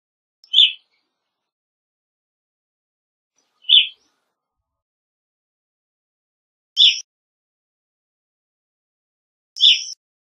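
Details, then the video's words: Evening grosbeak repeating a single short, sharp chirp about every three seconds, four calls in all, the later ones carrying a thin higher overtone; no other sounds. "Evening Grosbeak Singing, Grosbeak Calling - Pepitero Norteño Canto"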